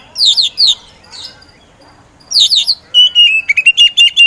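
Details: Oriental magpie-robin of the kacer poci type, a contest songbird, in energetic song meant to provoke others to sing. Two bursts of buzzy high chatter, a short pause, then more chatter and a run of clear, quick, repeated whistled notes.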